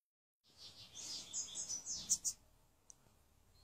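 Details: European goldfinch, described as calm, singing: a rapid run of high, thin twittering and tinkling notes for about two seconds, ending in two louder sharp chirps, followed by quiet background hiss.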